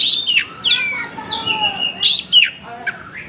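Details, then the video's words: Singing with its tail spread, an Oriental magpie-robin delivers high, clear whistles, some drawn out and steady, others sharp and downslurred, in short bursts. "Burung Kacer gacor buka ekor"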